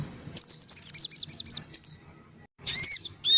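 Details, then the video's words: Black-winged cuckooshrike lure recording: a rapid series of about eight high, bouncing down-slurred whistles, a single similar note, then a louder harsh, rich call with layered tones after a short pause. "suara pikat sogon ribut. dan anak sogon"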